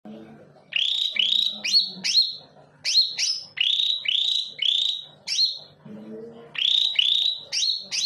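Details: Greater green leafbird song used as a lure to provoke other birds into singing: loud, whistled notes that sweep sharply upward and then hold, given in quick runs of three or four with short pauses, over a low steady hum.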